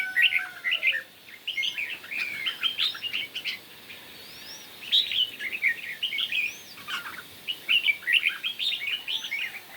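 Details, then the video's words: Red-whiskered bulbul competition singing in the morning: bright whistled, chirpy phrases rising and falling, delivered in quick bursts with brief pauses, some higher slurred notes above, over faint background hiss. "Chim Chào Mào Hót Đấu Buổi Sáng"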